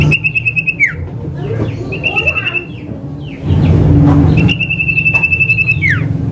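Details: Male common iora giving its name-calling lure song, used to prompt silent irora to sing: three long, steady high whistles, each ending in a quick downward slur, with soft chirps between and constant low rumbling background noise.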